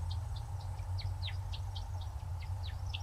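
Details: Male American Woodcock at dusk during its courtship flight display, used to attract mates: quick, thin squeaky chirps, several per second, some sliding downward, made by three skinny outer primary wing feathers, over a steady low rumble.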